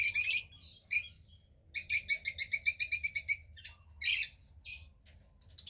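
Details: Female cockatiel chick about 15 days old, second of a pied pair's hatch, gray like her father, giving loud raspy, hissing calls: one burst, a short note, then a rapid run of about ten harsh pulses, ending in scattered bursts.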